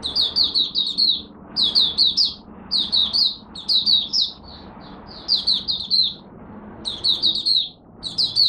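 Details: Caged Malaysian oriental white-eye singing its first warm-up of the morning, repeated bursts of rapid, high, sweeping chirps every second or so, over steady low background noise.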